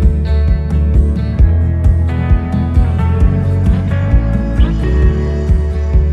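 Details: Guitar-led instrumental music with a steady plucked beat plays throughout.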